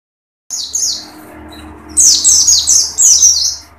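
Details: Oriental white-eye singing with open beak: very high, thin twittering bursts of quick, down-slurred notes, one short phrase, a pause, then a longer rapid run, over a faint low hum.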